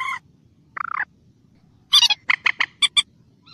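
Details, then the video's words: Common moorhen in the wild giving short, harsh clucking notes: a brief burst, a stuttered phrase, then a rapid run of five or six loud chattering calls. "BURUNG MANDAR BATU DI ALAM LIAR/COMMON MOORHEN BIRD"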